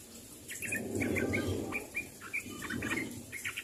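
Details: Sooty-headed bulbul calling to its companions with a quick series of short, bubbly, chirping notes, several per second, over a low rumbling background.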